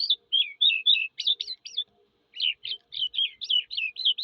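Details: Skylark song in two bursts of rapid, twittering high notes, short slurred chirps tumbling one after another, separated by a short pause, with no other sounds.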